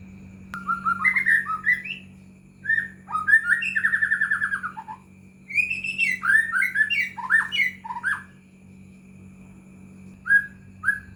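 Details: Lure recording of white-rumped shama song meant to stir idle caged shamas into singing: bursts of varied whistles, chattering trills and sharp swoops separated by pauses, over a constant low electrical hum.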